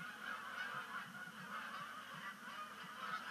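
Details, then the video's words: Canada geese splashing down on Sapsucker Woods Pond at dusk during autumn migration, 2019; a short stretch of thick, overlapping honking from a crowd of birds, pulsing slightly in loudness. "First Canada Goose Sunset Splashdown of the Year"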